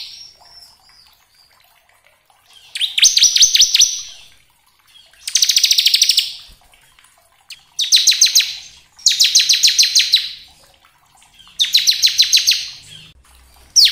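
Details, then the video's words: Bar-winged prinia (crystal type) song used as a lure to provoke captive prinias into full, rattling song: five loud bursts of rapid buzzy, high notes, each about a second long, separated by short pauses. "Pancingan ciblek agar cepat bunyi gacor ngebren"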